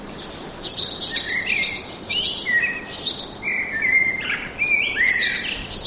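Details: Lively forest birdsong, with several birds overlapping in continuous twittering phrases of high chirps and lower clear whistled notes, rising and falling without pause.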